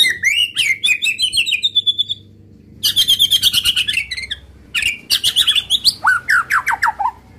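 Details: White-rumped shama song meant to provoke rival males into singing and showing their full repertoire: loud bursts of rapid whistled and sliding notes, short pauses between phrases, ending in a run of descending slurred notes.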